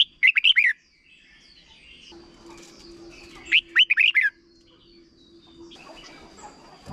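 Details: Short 'double' song of a red-whiskered bulbul, played so young birds can learn it: two rapid phrases of slurred whistled notes about three seconds apart, with a low steady hum and faint high chirps between them.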